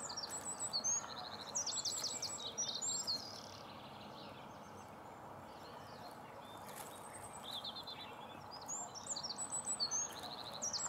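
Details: European pied flycatcher in Spain during autumn passage (from August–September), down from mountain breeding areas, giving high, thin chirping notes in quick bursts at the start and end, with steady wind hiss.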